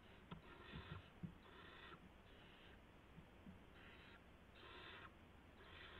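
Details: Owlets and an adult barn owl at 3:10 AM on March 16, 2016, as a gopher arrives at the nest. Raspy hissing bursts repeat unevenly, mixed with faint thumps and scratching early on.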